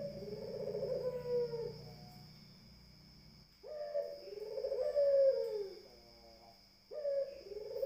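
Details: Barbary dove delivers two full cooing phrases, each opening with a sharp rise and then a long, purring, wavering tone, separated by a quiet gap. A steady high-pitched hum sounds throughout.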